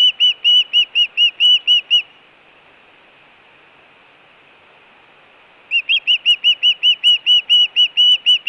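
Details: Osprey at the Hellgate nest in Montana, June 2017, food or alert calling. Quick whistled chirps for two seconds, a long silent gap, then another fast, even run of notes.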